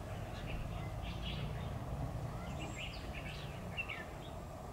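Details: Red-whiskered bulbul singing while bird trapping on 10 October 2019, a decoy in competitive song: short warbled, slurred whistled phrases scattered through the clip over a steady low rumble of background noise.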